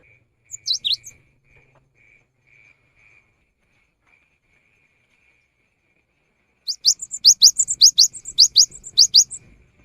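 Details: Cinereous tit in full song, a lure recording for the rainy season: a brief opening phrase, a long quiet gap, then a run of sharp, high, upward-sweeping notes in quick pairs with short flat chips between.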